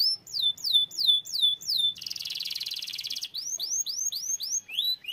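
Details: Singing canary: a tour of repeated downward-sweeping whistled notes, then a dense fast buzzy trill of about a second and a half, followed by rising swept notes repeated about three times a second.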